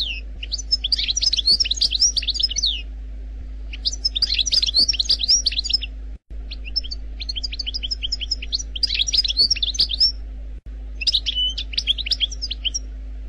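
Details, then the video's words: Algerian goldfinch singing the 'khalwi' wild-style song without mistakes: four separate runs of fast, liquid twittering and bright chirps, each a few seconds long with pauses between, a soft hum in the background. "لغة الحسون الجزائري الخلوي بدون اخطاء Chant Chardonneret Algerie"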